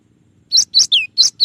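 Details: Gelatik batu, the cinereous tit, in a clear tutor recording of song variations: after a half-second pause, bright high chips interleaved with one long downward-slurring whistle, delivered in a rapid burst.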